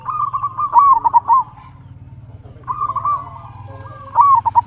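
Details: Singing local zebra dove used to bait other doves into answering: trilled stuttering coo phrases sliding downward, about two seconds apart, over a steady low hum.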